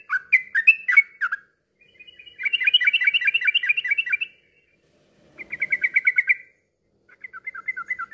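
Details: Yellow-vented bulbul song meant to stimulate non-singing bulbuls. Bubbly opening notes lead into a long, fast chattering trill, then a shorter rapid trill and a final softer run of quick notes.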